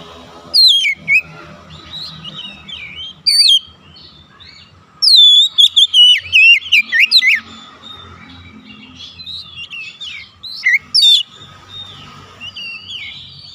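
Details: Oriental magpie-robin calling to others of its kind, which answer at once and lively: loud bursts of clear, sweeping whistled notes, some sharply rising or falling, in three separate spells, with fainter replying phrases between them.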